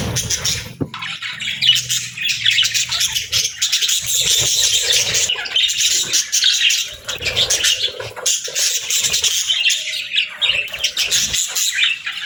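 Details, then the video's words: Budgerigars with chicks during feeding and bonding; a long stretch of dense, high, twittering chatter from several birds, nearly unbroken, with occasional sharp clicks. "Cute Budgies With Cute Chicks 🐦 | Adorable Moments & Chirping Sounds"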